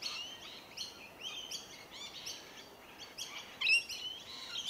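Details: Feeding Rainbow lorikeets (Trichoglossus moluccanus) on tree violet berries, Melbourne, Victoria, January; strident, buzzy screeching notes in rapid sequences, with one louder sharp shriek near the end, over faint background hiss.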